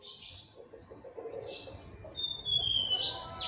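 Oriental magpie-robin singing bright, high phrases: short chattering bursts, then a clear, slightly falling whistle with varied notes. A faint low background murmur runs beneath.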